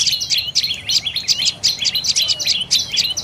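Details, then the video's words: Dark-necked tailorbird giving rapid, sharp, high chirps in a quick continuous series, about five or six notes per second, each a brief bright twitter with a short downslurred tail, over a faint background hush. "เสียงนกกระจิบคอดำDark necked Tailorbird Sounds"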